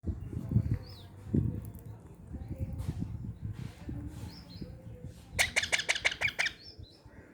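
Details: Hungry rescued baby parrots in India, found fallen from trees near a house after crows attacked them, call at feeding time. Late on comes a quick run of about seven harsh, harmonic squawks, after low handling rumble and scuffling.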